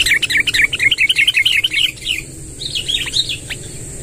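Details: Sooty-headed bulbul, a lively bird, pouring out a long rolling song: a rapid, even series of rounded warbled notes for about two seconds, then a softer, higher trill after a pause.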